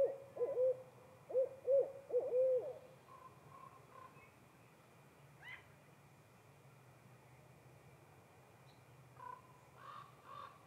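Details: Female barred owl answering her mate: a quick series of low, slurred hoots in the first three seconds, followed by harsher, higher cawing calls and a quieter stretch with faint calls near the end.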